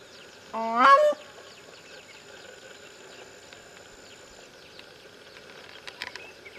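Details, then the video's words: Wild grey crowned cranes: one loud, nasal honk that sweeps sharply upward and lasts under a second, followed by quiet with faint distant chirps and a brief cluster of clicks near the end. "The Grey Crowned Crains caught in the nature making cracking noises."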